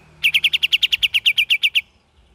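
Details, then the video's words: Cream-vented bulbul giving a fast chattering ngeriwik variation: thirteen short, sharp, identical chirps in an even series of about eight per second, then silence, with a faint low hum underneath. "KAPAS TEMBAK VARIASI GACOR DAN NGERIWIK"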